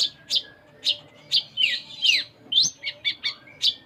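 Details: Konin (Sunda minivet) in vigorous full isian song: loud, separate high chirps and downslurred whistles, about two per second, with a few rapid stuttered notes near the end.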